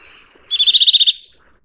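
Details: A single fast trill from a Eurasian nuthatch: about nine sharp, evenly spaced high notes run together in just over half a second, loud and clean against near silence.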